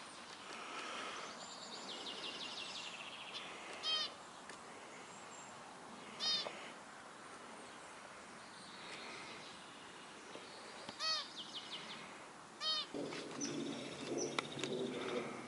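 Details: Zebra finch in northern France giving short, nasal, toy-trumpet-like beeps at irregular intervals over a busy background.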